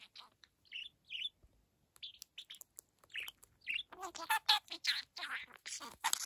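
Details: A young pet budgerigar, hatched in spring 2022 and recorded indoors on 23 August 2022, is starting to talk. Soft scattered chirps give way to a busier stretch of mumbled warbling chatter near the end.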